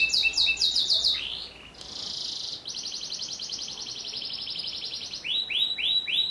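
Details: A canary sings a long, sharp, rapid song with rolling trills, shifting between buzzy runs and clear repeated rising notes; presented as a tutor song for teaching other canaries.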